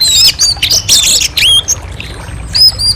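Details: Short burst of orange-headed thrush song, with bright clear whistles, a brief scratchy flurry, then a pair of ringing high notes near the end.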